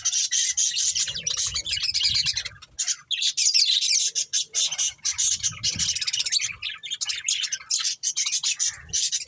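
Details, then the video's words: Budgerigars chirping nonstop: a thick, continuous warble of high raspy chirps and trills that overlap with almost no gaps throughout. "Beautiful Budgies Chirping Sounds"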